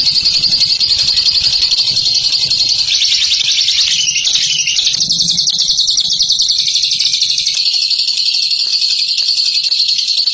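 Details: Long ngekek chatter from a bird called a master of the style: a non-stop high rattling trill, slightly wavering in pitch midway, with a soft low hum underneath.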